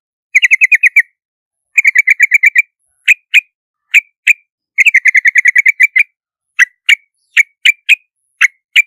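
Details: Yellow-vented bulbul alternating fast chattering runs of eight to ten notes with slower single notes spaced under a second apart, all at a similar bright pitch, with clean silence around them.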